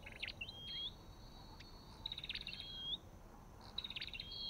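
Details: Olive-backed tailorbird, white-eye also in the recording: long buzzy trilled notes ending in smooth rising whistles, three phrases over a quiet background.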